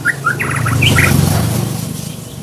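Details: Scarlet minivet song: a rapid run of short whistled notes in the first second, over a steady low rumble.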